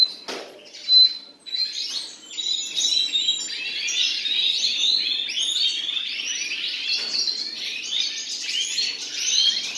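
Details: A pair of common nightingales singing: after a sharp opening note and a brief high whistle, a dense, continuous stream of varied chirps, trills and slurred notes runs without pause through the rest of the recording.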